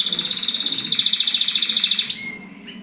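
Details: Mosaic canary during mating delivering an even, fast pulsing trill of identical high notes for about two seconds, ending in a short upward flick before quieting.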